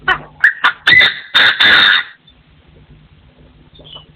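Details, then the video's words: Partridges crowing: loud rasping bursts build from short clipped notes into longer harsh calls over about two seconds, then quiet except for a faint distant chirp and a low hum. "The latest sound of partridges in 2024 crowing"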